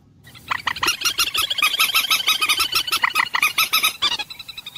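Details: Common moorhen, known locally as dunkor or jol murgi, calling in a rapid, dense run of harsh clucking notes, about three per second, continuing for over four seconds.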